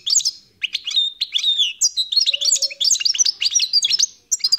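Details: Khalwi (wild) European goldfinch in continuous song: quick tinkling, twittering notes and short slurred whistles tumbling together at a high pitch, with one brief low tone in the middle.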